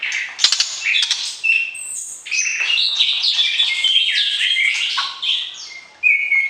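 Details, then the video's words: White-rumped shama song used to arouse the opposite sex before pairing for breeding: a rich, continuous run of varied whistled and chattering phrases, mostly high-pitched, with a sharp loud burst near the end. "PERJODOHAN Murai Batu, PANCING Birahi Lawan Jenis"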